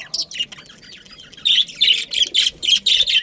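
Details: Budgies in a breeding colony: soft warbles at first, then a fast series of loud, buzzy, high chirps repeated about four times a second.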